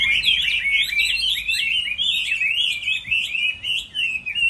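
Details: Chinese hwamei singing in a contest during the moult season: a rich, loud run of fast warbled, slurred whistles rolling up and down without pause, with a brief steady whistle near the start.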